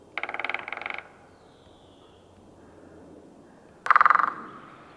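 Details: In Sweden, a great spotted woodpecker drums loudly and close: a roll of fast, resonant knocks about a second long, then after a quiet pause a shorter, louder burst of rapid strikes that fades out.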